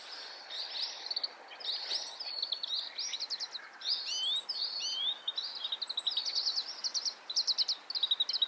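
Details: Oriental greenfinch, breeding-season male in Hokkaido, Japan: dense twittering song of rapid buzzy trills and short rising and falling notes, continuous over the whole stretch, with faint background hiss.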